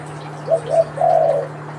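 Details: Spotted dove, given as an example of the local or Kelantan type, coos low and mellow: two short coos, then a longer, drawn-out husky note, over a steady low hum.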